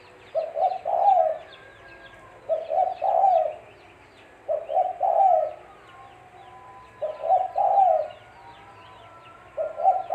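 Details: Spotted dove (tekukur) cooing as bait for bird trapping: five low, mellow phrases at steady spacing, each two short notes followed by a longer rolling coo, with thin chirps of other small birds throughout.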